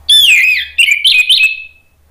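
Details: Orange-headed thrush song played as a lure and therapy sound for kept thrushes that have stopped singing: a loud, slurred whistle falling from high to mid pitch, then a quick run of rich, warbled notes that fade out.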